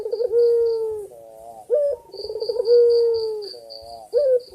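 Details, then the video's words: Calling male white dove summoning the female, gacor dor berkua delivery: a pulsed throaty lead-in swells into a long even coo, ending in a brief bright rising note. Two full phrases, with a steady high chirping pulse in the background. "Puter Putih Gacor Jantan Memanggil Betina | Kicauan Penuh Energi Burung Puter Putih Gacor Dor Berkua"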